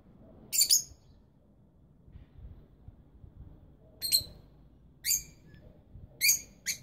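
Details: Shrill, brief chirps from rosy-faced lovebirds, young and incubating parents, come singly and in pairs, five or so in seven seconds, over soft background noise.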